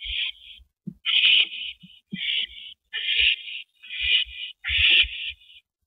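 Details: Owls at a nest during a rabbit delivery to a mate, 19 April 2012, 8:15 PM. Six rasping, noisy screeches of under a second each follow one another with short pauses. Soft thumps sound between them.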